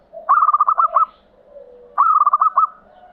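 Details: Local Javanese zebra dove giving an angkatan-type song used to set quiet doves singing: two bursts of rapid, bubbling cooing notes, each about a second long, separated by a pause with a soft low hum.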